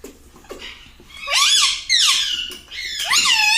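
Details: Indoor pet ring-neck parrot that is said to talk "mummy" and "papa": loud, harsh squeaky calls with sweeping rising and falling pitch in three bursts.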